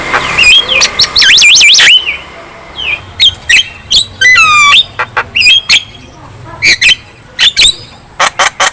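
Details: Javan myna singing vigorously: harsh squawks and fast warbling whistles, then a long string of sharp clicks and short piercing whistles over a constant high tone.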